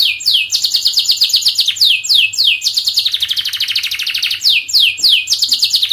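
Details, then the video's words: Dense, speedy canary song for teaching young canaries: series of sharp downslurred notes merging into a long, even rolling trill, then more downslurs. "KENARI GACOR PANJANG speed Rapat, 99% SUKSES Bikin Kenari NYAUT/Pancingan kenari paud belajar bunyi"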